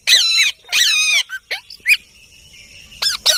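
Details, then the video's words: Soft-voiced parrot calls: two long, rich, wavering notes, then short squeaky chirps and a thin sustained tone before two quick sharp notes close the sequence. "Mithu parrot soft Voice"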